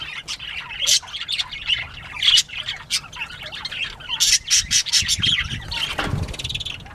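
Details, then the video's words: Northern bobwhite quail playing on 19 April 2017, 10:13 AM; a lively mix of sharp chirps and rough squawks, ending with a brief low thud. "Bobwhite Quail playtime"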